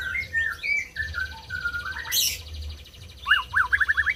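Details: White-rumped shama singing, aimed at stirring silent birds into song: sliding whistles, a long high buzzing trill, then a short burst of quick up-and-down notes at the end.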